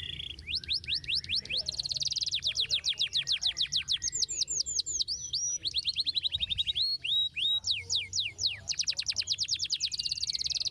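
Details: {'caption': 'Canary in full song, played to get a silent canary singing again; dense high trills of quick downward-slurred notes alternate with rolling buzzy passages, nonstop for about ten seconds.'}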